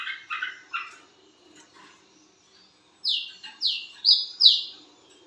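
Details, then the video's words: Wiceh bird heard at midnight. Some softer, lower chirps come first, then after a pause four strong high whistles ring out, each dropping in pitch or held level, in quick succession. "BURUNG WICEH MEMANGGIL WICEH GACOR TENGAH MALAM"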